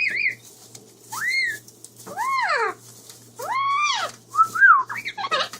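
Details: Pet female Amazon parrot, kept about 33 years and free outside her cage, in a happy mood making mating-behaviour sounds. Series of loud rising-then-falling arched whistles with rich harmonics, one after another, plus short warbles; a woman talks to her around them.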